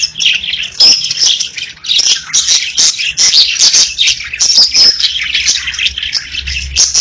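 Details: A group of pet budgies keeps up continuous scratchy warbling, interspersed with thin piping whistles and quick chirps, steady in volume throughout.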